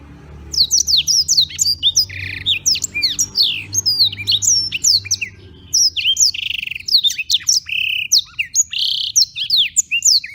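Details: Black-throated canary singing daily in Beng, Gianyar, Bali, recorded as tutor material: long continuous stream of sharp high sweeps and chips, broken by a few rasping buzzy notes, with barely any pauses over ten seconds; low hum beneath.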